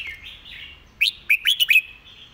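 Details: Master song of a red-whiskered bulbul, used to teach birds, with a soft wavering lead-in followed by a quick burst of four or five sharp, chirpy, up-slurred notes.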